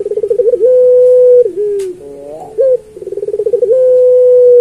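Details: Puter pelung turtle dove giving its master song for training other doves. A fast pulsing trill leads into a sustained even coo that sags downward, then a short hooked note, and the pattern starts again with another pulsed trill and long tone.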